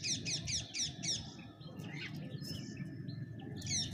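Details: Bank myna at a feeding spot shared with pigeons, giving a quick run of five sharp, descending chirps about four per second, then softer twitters over a steady low rumble.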